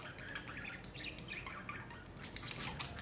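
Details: Summer budgerigar chatter, brief and slightly muffled, made of soft warbled chirps and scratchy notes over a low hum.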